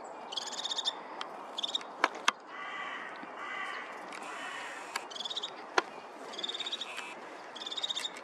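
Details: Crested tit (Lophophanes cristatus), 16 November 2023, giving short bursts of very high, rapid stuttering notes, with lower, purring rattles between them and a few sharp clicks.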